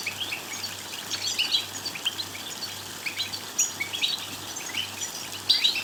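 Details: European goldfinch twittering to stimulate singing. A continuous, lively tangle of thin chirps, buzzy trills and brief clear whistles, several louder bursts scattered through, with an intermittent low hum in the background.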